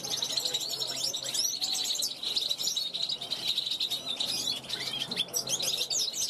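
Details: Juvenile European goldfinch from 2021, calling from a balcony to passing wild goldfinches; a busy stream of high, tinkling chirps, buzzy trills and short rising notes, dense and nearly unbroken.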